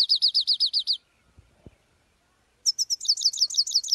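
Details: European goldfinch singing a 'full start' song: a fast series of about eight sharp, downslurred high notes, then a pause of over a second and a renewed rapid run of the same bright, repeated notes.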